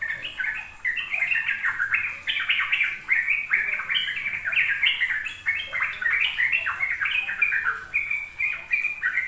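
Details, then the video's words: Sooty-headed bulbul ropel song, played to coax young caged birds into learning it: unbroken stream of quick, bubbly, slurred notes rising and falling, slight background hiss. "Pancingan trucuk agar trucukan BAHAN PAUD ikut belajar ropel"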